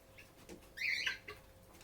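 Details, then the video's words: Captive lovebird giving one brief burst of harsh, scratchy chattering with a few twittering notes, rising and falling over about half a second, set between short faint chirps in a quiet indoor setting. "Lovebird Singing & Chirping Sounds"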